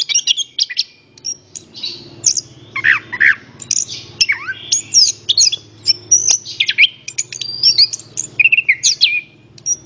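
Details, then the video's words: Orange-headed thrush song serving as a lure for other songbirds, full of rich downward whistles, buzzy notes and high chirps, accompanied by a noticeable low droning hum throughout. "PANCINGAN BURUNG ANIS KEMBANG"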